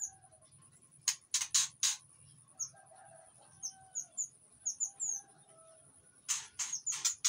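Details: White-rumped shama in breeding condition in an Indonesian aviary, singing to lure other shamas: harsh, grating bursts alternate with a run of short, high, thin whistled notes, then more rasping bursts, over a steady high hiss.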